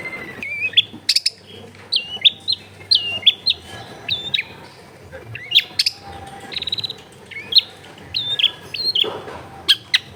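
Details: Long-tailed shrike song, played as tutor sound for a silent caged shrike, taken at a house in a crowded neighbourhood: sharp chirps and short rising-then-falling whistled notes repeated steadily, with faint background hum.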